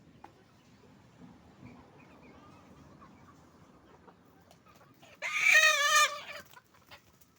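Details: Roosters and hens making noise on a chicken farm: soft background clucking and murmuring, then a loud, harsh rooster crow lasting about a second, wavering and rich in overtones, followed by scattered clucks.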